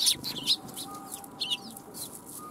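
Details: Sparrows arriving for food at a Tenmangu shrine on 1 January 2021: short bright chirps in small bunches, some downward-slurred, over quiet background.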